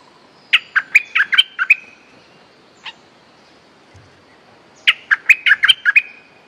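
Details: Streak-eared bulbul (Pycnonotus conradi), described as a resident territory-holder with a fierce song and used as a lure call, gives two quick bursts of about seven harsh, chattering notes with a single note between them, in quiet surroundings.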